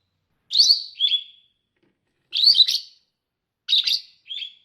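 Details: Lovebird giving harsh, high chirping bursts, each a buzzy squeak followed by a shorter chirp, three pairs spaced about a second and a half apart, with silence between.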